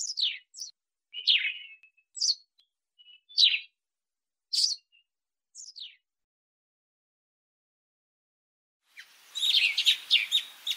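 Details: Sparrow, recorded in Africa, uttering a run of separate bright chirps, high and falling, then a sudden dense burst of rapid overlapping chatter at the end.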